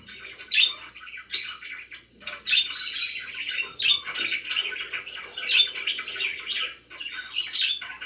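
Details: Pet budgies chattering in buzzy warbles, with sharp whistled squeaks popping out about every two seconds over the ongoing scratchy twitter.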